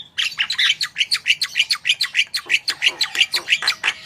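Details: Javan myna (jalak kebo) in fast song to prompt other birds to sing: a rapid, steady chatter of squeaky, buzzy notes about five per second throughout.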